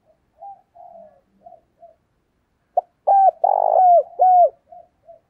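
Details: Decoy spotted dove calling to lure wild doves: soft, scattered low coos at first, then one loud phrase of a short clipped note followed by three mellow hooting coos, the middle one longer and rough-textured, in a quiet setting.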